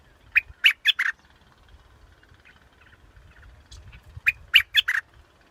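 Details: Scarlet-backed flowerpecker repeating its phrase twice, each a run of four quick, sharp, slightly buzzy chips, about three seconds apart, over faint low background noise.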